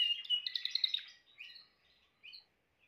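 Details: Timbrado canary giving a brief burst of fast rolling trill, followed by a few softer scattered chirps and whistles.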